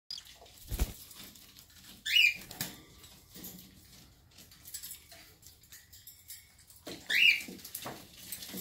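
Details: A hand-raised, DNA-sexed female cockatiel at an aviary in Redbank Plains, Queensland, Australia, gives two short, shrill chirps several seconds apart over soft rustling and tapping.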